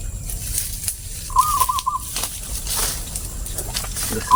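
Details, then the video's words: Zebra dove, with its song described as a crystal-clear voice, gives one short cooing phrase: a run of rapid, even notes near a steady mid pitch lasting under a second. A faint later note follows, over a steady background hiss. "perkutut suara keristal"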